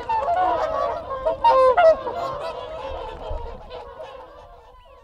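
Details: Whooper swans in a group exchanging close contact calls, a burst of loud overlapping honks early on fading to softer scattered calls, with wigeon and Canada geese audible behind.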